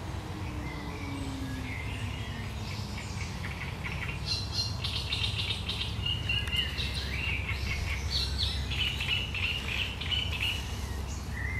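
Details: Sharp, chattering song of a great reed warbler, 1 July 2020: quieter opening, then a sustained stream of harsh, rapid notes and rasping churrs, with steady low background noise.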